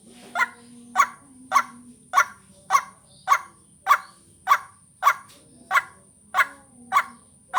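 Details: White-breasted waterhen, called ruak-ruak, in a lure recording for vocal training. Harsh croaking notes are repeated steadily about every 0.6 seconds, thirteen in a row, over a faint constant hum.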